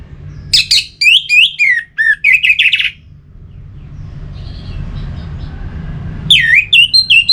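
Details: Caged orange-headed thrush from north Bali, Indonesia, pouring out quick loud whistles and slurred notes for about three seconds, then faint twitters, then another burst of swooping whistles; low hum underneath.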